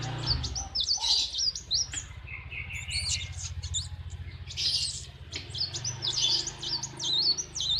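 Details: Kept sunbird (kolibri wulung) singing in the morning at a workshop, keeping its owner company as he works: rapid high, thin chirps and twittering phrases, with a low engine-like hum underneath.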